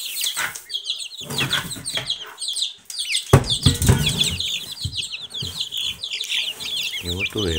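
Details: Silkie chicken chicks producing constant high peeping chirps, overlapping and slightly descending, mixed with low clucks, bumps and handling noise, including a loud knock partway through.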